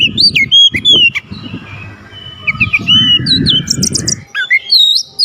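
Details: Energetic oriental magpie-robin song meant to rouse a sluggish bird into singing. Quick, varied whistled phrases and sharp chirps tumble over one another, with a few high ringing notes near the end over a low background rumble.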